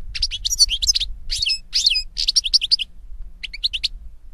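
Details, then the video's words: European goldfinch (Carduelis carduelis) song outdoors: dense, fast liquid twittering and jingling high notes in quick phrases, a short pause, then a few more chirps, over quiet low background noise. "Birds Singing - European Goldfinch"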